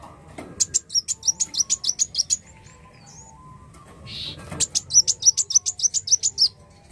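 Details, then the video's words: Black sunbird, known locally as kolibri wulung, delivering two bursts of rapid, high-pitched chipping notes, each burst about two seconds long, separated by a short pause with a soft thud. "Kicau Merdu Kolibri Wulung Gacor Narung"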